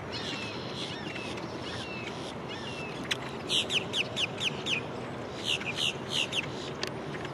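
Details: Nanday parakeet at Land O' Lakes, Florida, in November 2023, giving a rapid series of harsh, grating screeches, about three per second, over a steady background hiss.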